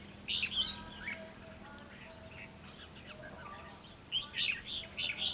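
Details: Red-whiskered bulbul song used in fight-trapping to lure other birds: short loud bursts of chirped, whistled notes at the start and again near the end, with a quieter stretch between and a steady low hum.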